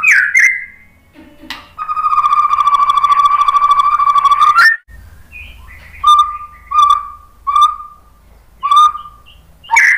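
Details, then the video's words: White-rumped shama pancingan song for provoking a reply: opening whistled slur, then a long steady whistle held about three seconds with a faint buzzy overtone, followed by short separate whistled notes spaced about a second apart. "SUARA MURAI BATU Untuk Memancing BUNYI jadi NYAUT GACOR"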